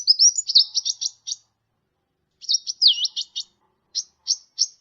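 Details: Sunbird known as kolibri ninja, a tutor recording for song training: sharp, high chips and a looping whistle in short rapid runs, then a few spaced single chirps, on a quiet background.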